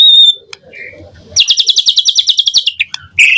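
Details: Morning lure song of a white-rumped shama: a brief high whistle, a quiet pause, then a rapid high rattling trill of about fifteen notes, ending in a loud burst.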